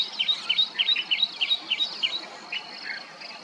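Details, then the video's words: Common myna calling in Aurangabad: a quick run of about a dozen sharp, bright chirps over two seconds, evenly spaced, then a few softer notes, above a steady high insect drone. "Maina Bird"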